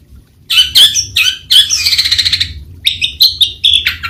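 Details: Long-tailed shrike delivering a melodious but harsh song: short nasal notes, a grating buzzy trill, then a string of quick whistled and chattering notes, loud and close.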